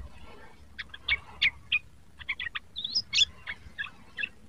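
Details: Practising young sooty-headed bulbul: sparse, short chirps spaced irregularly, with one clear upward-sliding whistle near the middle, against faint background noise.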